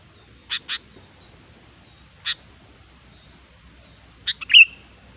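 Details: Wild sooty-headed bulbul with sparse song: two short bright notes, a lone note about 1.5 seconds later, then a quick bubbly phrase ending in a clear whistled slur, over quiet background.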